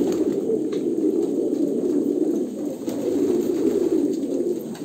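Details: Overlapping deep coos from several pigeons in Kolkata form a steady, murmuring rumble throughout.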